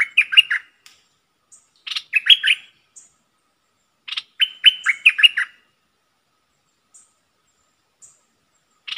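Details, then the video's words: Bulbul kept as a decoy repeats short, chattering phrases of liquid whistled notes roughly every two seconds, with a few faint chips between phrases. "เสียงนกดอกแตงEp.73 นกต่อสายโหด(เจ้ามณี) Suara merbah lekir gacor"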